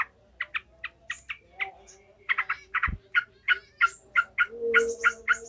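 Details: Angry, lively Yellow-vented bulbul cackling, kept to train the fighting mentality of other bulbuls: spaced sharp chips that speed into rapid rasping notes, about three per second, with a brief thump midway.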